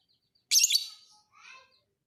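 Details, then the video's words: Fighter lovebird recorded for training other birds: a single intense, raspy, high-pitched shriek lasting about a quarter second, followed by a quieter buzzy chattering phrase. "MASTERAN KICAU BURUNG LOVEBIRD FIGHTER"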